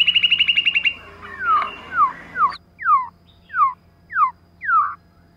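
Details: Female white-rumped shama used as a lure: a fast burst of about ten chipped notes, then a steady series of clear downslurred whistles repeated roughly every half second, with a faint steady hum beneath.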